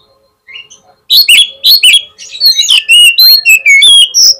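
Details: Fast, loud oriental magpie-robin song meant to draw a rival's reply: after a soft opening, a dense stream of sharp whistled notes and chattering trills, steady for three seconds.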